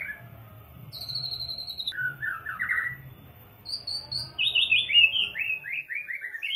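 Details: White-rumped shama (murai batu) song used as a tutor recording to stimulate other birds: a clear high whistle, a buzzy falling trill, then a run of rich slurred notes stepping downward.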